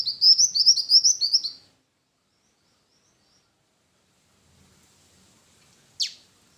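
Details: Black-winged flycatcher-shrike, known locally as jingjing batu, opens with a fast high trill of quick repeated notes. A long quiet pause follows, then a single sharp downward-sweeping note near the end.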